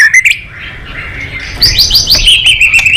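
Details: Murai batu, or white-rumped shama, favoured by songbird enthusiasts, sings a quick phrase of whistled notes sliding up and down, ending in a run of fast, evenly repeated bright chirps.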